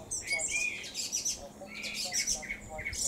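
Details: Song thrush in song at Cambridge, UK, 28 May 2021, early afternoon; dense run of sharp, squeaky and warbled notes, several short figures repeated in quick succession, with faint background hum.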